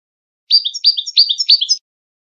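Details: Widani-style song of a European goldfinch, recorded for tutoring young goldfinches and hybrids for contests: three quick, evenly spaced motifs, each a pair of sharp chirps with a high flick, in silence.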